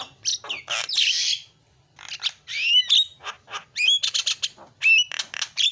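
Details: Noisy Javan myna chatter used as a fill-in song: rapid, harsh, grating notes mixed with short whistled upslurs and clicks in quick, uneven phrases after a brief pause.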